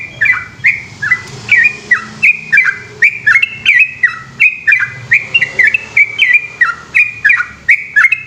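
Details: Lively yellow-vented bulbul, known locally as trucukan, in Indonesia, singing a long 'ropel' song after dark, with steady bursts of gurgling, down-stepping whistles about three per second and a faint low hum behind.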